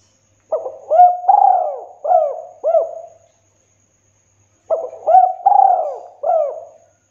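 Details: Spotted dove giving a clear, thick "kuk 2" style call, kept as a training and lure recording for trapping doves: two cooing phrases of several hollow, bouncing hoots, separated by a few seconds of silence.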